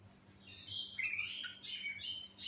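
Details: Natural, lively Sooty-headed bulbul fill-in song: bright whistled and warbled notes sliding up and down in a brief varied run, with a low hum in the background.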